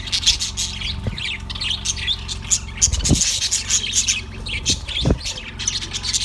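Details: Yellow budgerigar chirping, recorded on 18 February 2024: scattered short, scratchy high chirps and chatter, with a steady low hum running underneath throughout.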